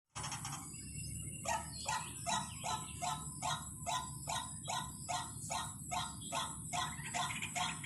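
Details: White-breasted waterhen call used as a lure to attract birds: harsh, broadband croaking notes repeated steadily about twice a second after a brief silent start, over a constant low hum.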